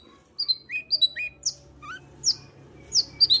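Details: Long-tailed shrike (cendet) song used as a lure to provoke a quiet shrike into singing: varied short whistled and chirping notes, some rising, some falling, in scattered bursts across three seconds over faint low hum.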